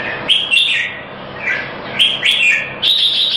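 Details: Competition-winning red-whiskered bulbul in Singapore delivering loud, sharp whistled notes in quick clusters, with brief pauses between phrases, against a constant noisy background.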